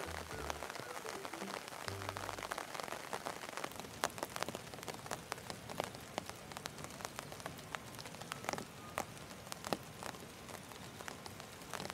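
Steady rain patters and drips on a hard surface, with scattered sharp drops and a brief low rumble near the start; no animal calls.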